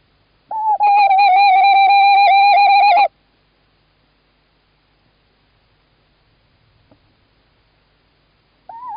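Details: Tawny owl male calling on 11 March 2017 in Estonia, the female in the nest box; one long quavering call of about two and a half seconds, then several seconds of silence before another call begins.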